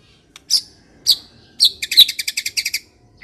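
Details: White-rumped shama song from Medan used as a lure: a few high, sharp chipping notes followed by a fast rattling burst of about ten crisp repeated notes.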